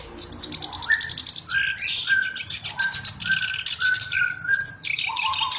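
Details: Actively singing black-browed reed warbler, kept as a tutor bird for other songbirds; a fast run of evenly repeated high chips opens, then mid-pitched whistles alternate with harsh scratchy bursts.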